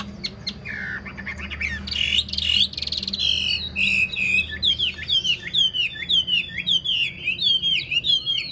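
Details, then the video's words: Caged Chinese hwamei, an old wild-caught bird noted for its fine singing, giving a few soft notes, then a rising, loud run of rapid twisting whistles and trills. "Chim già rừng chất giọng cực hay"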